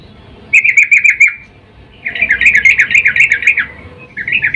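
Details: Female yellow-vented bulbul calling the male while in breeding mood, used as a lure: a short fast chatter, a pause, then a longer run of quick pulsed notes.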